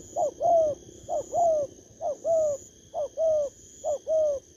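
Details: Spotted dove taken from the wild, heard in August 2024: crisp two-part coos, short rising hoot followed by a longer falling one, repeated steadily about once per second.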